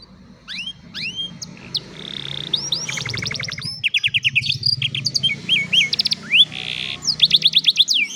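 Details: Afternoon song from an old canary: bright rising whistles and a short buzzy note, then quick trills of clipped repeated notes, over a low background hum.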